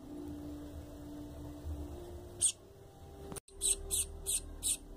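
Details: Double-collared seedeater chick begging calls, used to stimulate an adult bird: after a quiet stretch, a few short, very high, thin chirps come in quick bursts, with a steady low hum underneath.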